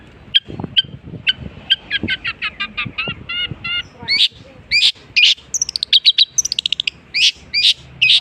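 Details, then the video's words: Long-tailed shrike singing a mix of copied calls: a string of sharp chips speeding into a fast series, then loud rising sweeps and rapid trilled runs, with faint low background noises. "unik nya burung cendet bisa menirukan jenis burung apapun"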